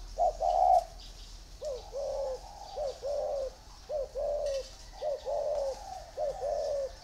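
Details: Two caged spotted doves, one in a round bamboo cage and one in an iron cage: a loud opening coo followed by a series of short-long cooing pairs, each note dipping slightly, with a quiet background.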